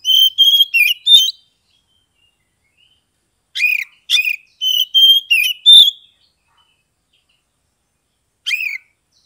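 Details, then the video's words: Caged Oriental magpie-robin, song used to prompt silent or reluctant birds to sing: clear, loud whistled notes and sharp harmonic chips in short clusters, with long silences between bursts. "SUARA KACER NGEPLONG untuk terapi kacer bisu, malas bunyi, langsung respon dan gacor"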